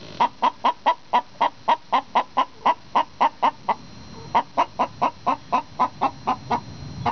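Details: Two hens sing an egg song together, bragging about an egg about to be laid or just laid. Loud, even clucks come about three per second in a steady run, pause briefly, then resume at the same pace.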